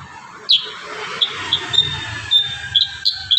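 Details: Kurincang singing actively in a tutor recording with dense rapid bursts: sharp, high chipping notes repeated at irregular intervals about every half second over steady background hiss and low rumble.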